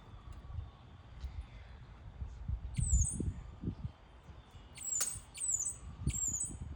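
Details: Sparrow giving short, high chirps that sweep downward, a lone one near the third second, then a quick series of three or four in the last two seconds, over low rumbling background noise.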